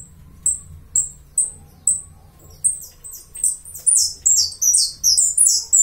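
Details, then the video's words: High piercing whistles from a saffron finch in Uruguay, steady at first, then speeding into a dense string of buzzy, downslurred phrases that grow louder toward the end. "Jilguero dorado Uruguayo"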